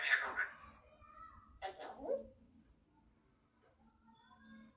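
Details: Grey parrot talking in a sweet voice: two short, voice-like harmonic bursts, one at the start and one near the two-second mark, then quiet with faint thin tones and a low background hum.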